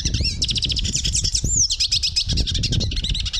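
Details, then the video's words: Hooded siskin song: a fast, continuous twittering of high chirps and trills with brief whistled upslurred notes, over a steady low rumble of background noise. "Hooded Siskin Song, Hooded Siskin Call, Bird Sound, Chirp"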